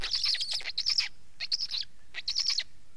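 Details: Black stork calls: three bursts of harsh, hissing, rasping notes, each about half a second long, with quiet gaps between them.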